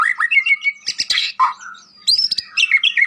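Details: Lively white-rumped shama song for training other shamas, with short whistled notes, scratchy bursts and higher clear sweeping phrases in quick succession.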